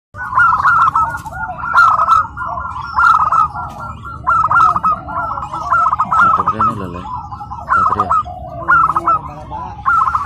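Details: Tame, house-raised local zebra dove at its first practice contest at PLN Karawang, Indonesia, singing after adapting to the busy venue: rhythmic staccato cooing phrases, repeated roughly every second, with low voices and crowd murmur underneath.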